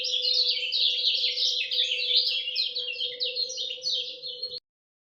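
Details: Lemon-bellied white-eye singing at dawn: a rapid, unbroken stream of high, sweet twittering chirps, each tumbling note tightly packed against the next for over four seconds, over a steady low electrical hum, ending abruptly.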